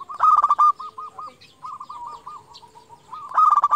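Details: Zebra dove, local lure bird that calls rivals: a loud burst of quick notes that runs into a long series of soft rolling coos, ending in another sharp stuttered burst.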